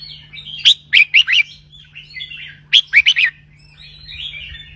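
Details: Caged red-whiskered bulbul in 'bern roi' song, used to rouse other birds: two lively phrases of four rolling whistles each, about two seconds apart, with soft background warbling and a constant low hum.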